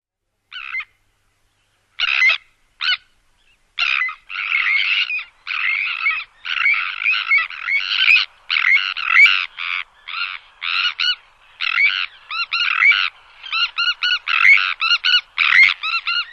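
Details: Sandwich terns at the Odiel Marshes, Huelva, Spain, give harsh, grating, rasping calls in quick, uneven bursts.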